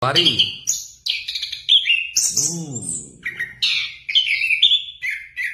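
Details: Orange-headed thrush pours out a fast varied song of whistles and trills, while a person's voice briefly rises underneath.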